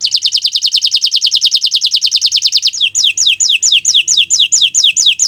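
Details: Melodious song of a bottle-green canary: a steady rapid roll of high repeated syllables, shifting after about three seconds to slower, clearly spaced descending whistled slurs, roughly four per second.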